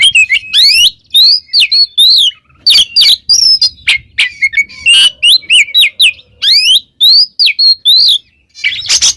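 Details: Pet-style oriental magpie-robin in full, loud gacor ngeplong song for training other birds, pouring out bright rising and falling whistles mixed with sharp clicks and chattering notes in fast, continuous phrases.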